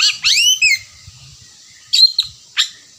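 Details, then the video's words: Oriental magpie-robin giving a few clear downslurred whistles followed by short sharp chip notes, spaced over about three seconds, faint low thumps underneath. "Pancingan kacer berkicau, memulai ngerewek kicau"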